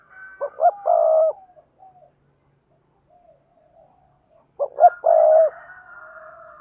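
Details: Spotted dove thúc gù coos, meant for training newly caught doves to coo each day: two loud phrases roughly four seconds apart, each with quick hoots and a long hollow coo, faint coos trailing between.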